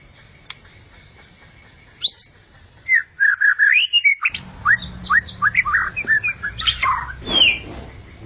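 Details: Competition-winning white-rumped shama from Medan and Java giving loud whistled phrases with rising and falling slurs and short chirps after two quiet seconds, over a steady low hum and background noise.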